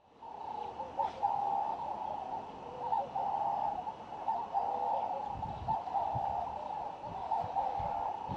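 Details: A wood hoopoe, possibly Red-billed Wood Hoopoe feeding chicks, calls in a fast, chattering stream of mid-pitched notes, about four per second, with low rumbles of wind or handling noise late on.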